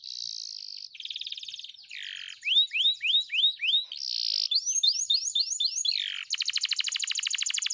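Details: Caged canary, a lure recording made in the morning for a bird reluctant to sing: buzzy held notes, repeated rising upward-curling whistles, then a rapid metallic trill; clean, no background sounds.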